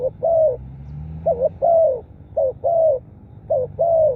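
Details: Close spotted dove cooing, used to draw wild birds: a trailing coo then three phrases of a brief bouncing note and a long, soft, slightly falling coo, evenly spaced with a faint low hum.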